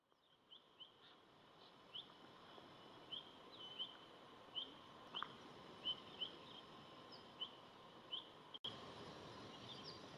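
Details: Oriental hobby in Dalat, Vietnam, October 6, 2018, giving a loose series of short, sharp high notes, one every half second or so, over a steady hiss.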